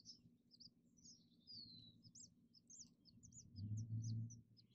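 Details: Alarm from a male House Finch at a hanging-basket nest, alerting his babies to a human voice; high, thin chirps and a descending slurred whistle repeat in quick succession while a low rumble swells near the end.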